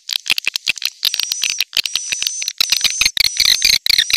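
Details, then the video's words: Swiftlet lure call played to draw birds: dense rapid clicking bursts and chirps with a steady thin high whistle tone running through much of the recording. "SUARA PANGGIL WALET"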